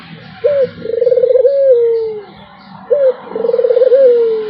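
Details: Melodious puter cooing: two phrases, each a quick lifted note followed by a trembling trill and a long fading tone that slides lower.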